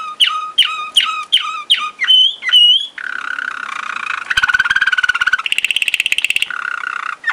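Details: A Waterslager (Malinois) canary from Sakarya, 2011, sings a string of falling whistled notes, then long rolling trills.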